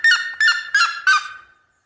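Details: Red-legged seriema in rural countryside giving four loud, harsh yelping notes, evenly spaced about a third of a second apart, each rich and nasal with a slight downward slur, fading into silence.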